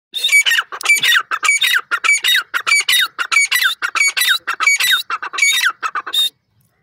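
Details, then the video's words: Dakhni and Irani francolins (teetar) give a loud run of harsh, grating squawks, about three per second, some with a thin whistled ring, continuing for six seconds. "Teetar Birds in Action,Dakhni and Irani Teetar Calls"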